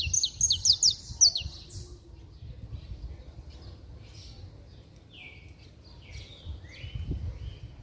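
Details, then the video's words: Saffron finch singing hard, a song meant to stir up other saffron finches: a loud, rapid burst of sharp, high chirping notes over the first second and a half, then quieter scattered high notes, with a low rumbling background. "Canário da Terra Estralando Muito - Ótimo Para Esquentar Qualquer Canário-da-terra!!!"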